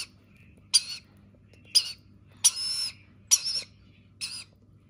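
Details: Rainbow lorikeet chick begging at feeding time: five short, harsh, grating squawks, each under half a second, repeated at uneven intervals of about a second, one stretched longer, over a quiet low hum.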